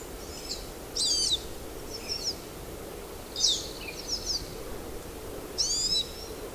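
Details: Pine siskin, a North American finch, giving high thin wheezy calls in short bursts every second or two over steady background hiss.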